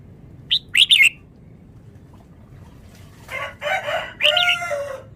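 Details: Vietnamese red-whiskered bulbul singing fast: a short burst of sharp, bright chirps, a pause, then louder, harsher, lower-pitched phrases with a drawn-out harmonic tail.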